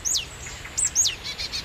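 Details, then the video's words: Adult marsh tits give alarm calls at a tawny owl 15 metres from their nest of chicks in the evening, in spring 2018: high, sharp downslurred notes in quick bursts, then softer buzzy scolding notes against a quiet background. "That's the alarm call of the adults."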